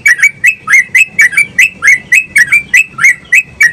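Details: Yellow-vented bulbul, a lively bird used to stimulate other bulbuls to sing, delivering a fast chattering run of bubbly, slurred two-part notes, about thirteen in under four seconds, loud and close.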